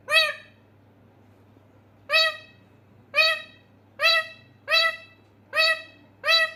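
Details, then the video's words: Pet parrot calling its owner with short, harsh, harmonic calls. After one opening call and a pause, six more follow at gaps of roughly half a second to a second, in a quiet room. "Mithu mujy bula rha"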